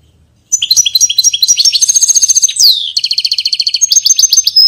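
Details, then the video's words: European goldfinch singing a fast, high twittering song of rapid repeated chirps and liquid trills, broken midway by a clear downward-slurred note, then a run of evenly spaced buzzy notes; no other sounds heard. "Pintassilgo Português"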